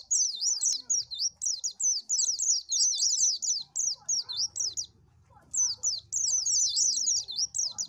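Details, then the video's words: Long, almost continuous stream of high, rapid, jumbled twitters from an Oriental white-eye, each note a quick falling-then-rising slur, with one short break and a low hum underneath. "SUARA BURUNG PLECI AMPUH !!!"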